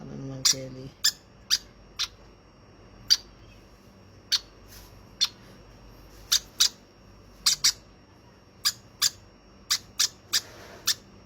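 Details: About twenty clipped, high-pitched peeps from a hand-fed baby conure, delivered at a lively, uneven rhythm after a brief human voice at the start.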